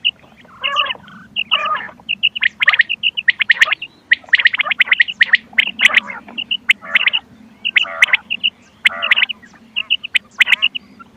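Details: Quail calls played to lure birds for hunting: harsh, buzzy bursts alternating with short, high, clipped notes, repeated rapidly and irregularly over a faint low hum.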